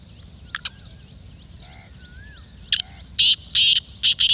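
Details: Kala teetar, black francolin: after scattered clicks and thin whistles from other birds, a loud phrase of five harsh, grating notes ends the recording.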